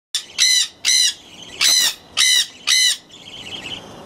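Five loud, harsh, grating screeches from a Jenday conure, each about a third of a second long, repeated roughly every half second, then quieter chatter.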